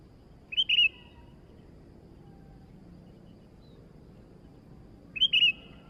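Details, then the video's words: Sooty-headed bulbul song: a brief bubbly warbled phrase, a long quiet pause with low rumbling background, then the same short phrase repeated near the end. "burung kutilang baru Gacor dor"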